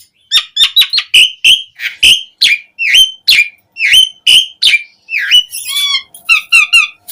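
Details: Asian pied starling singing hard with many fill-in notes, as a lure for starlings: a long steady series of loud whistled upslurs several per second, then quick warbled high notes and low whistles.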